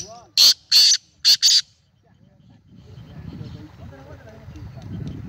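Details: ['Black francolin calling, recorded 19 April 2020: four loud, harsh, grating notes in quick succession within about a second and a half, followed by a quieter stretch of low murmuring background sound.']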